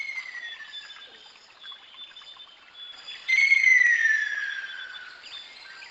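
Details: Ruddy kingfisher calling: a loud, clear whistled trill that slides steadily downward and fades over about two seconds, preceded by a fainter similar descending call, with soft chirps and a quiet natural background.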